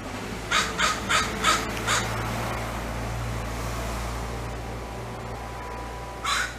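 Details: Crow cawing loudly to other crows nearby for help, a distress and territorial alert call: a quick run of five harsh caws, then a pause with low rumbling background noise and one more caw at the end.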